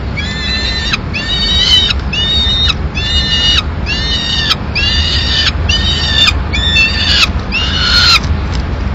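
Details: Peregrine falcons in Madrid on 19 May 2016, as the female brings a pigeon that the chicks eat. Harsh, nasal, ringing calls repeat about once a second, nine in a row, over a constant low rumble of background noise.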